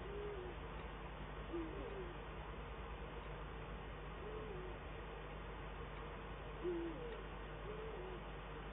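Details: Male and female Eurasian eagle-owls at their Eifel nest, 22 December 2012, duetting: soft, low hoots of two slightly different pitches, spaced irregularly over a constant background hum.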